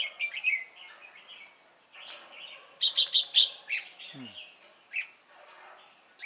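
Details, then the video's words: Red-whiskered bulbul decoy during trapping at Chùa Hương, Vietnam, 28 November 2017; chirpy warbled phrases and a quick series of four sharp notes, with a brief low falling sweep midway. "Bẫy chào mào Chùa hương chơi mau mỏ"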